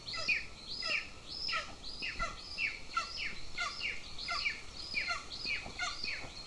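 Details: At breakfast on 25 June 2024, a nest camera near a defence training area in Lahemaa, Estonia, records two golden eagle chicks giving steady squealing calls that slide downward, in an uneven series of about one and a half calls per second.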